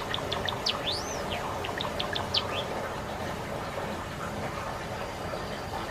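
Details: A Java sparrow, likely one of the four-year-old males (a Sakura-type or a salt-and-pepper bird) singing courtship song to a female or calling to its owner, gives rapid high clicks and chips with one rising-falling slurred whistle over steady hiss.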